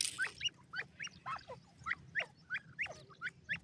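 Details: Young grey francolin, a chick of three months, calling in a clear run of sharp, rising two-part chirps, roughly three each second, steady and evenly spaced over quiet hum.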